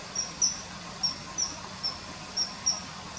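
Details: Common kingfisher along a river: sharp, thin high-pitched whistles, about seven notes in three seconds, spaced unevenly against soft hiss.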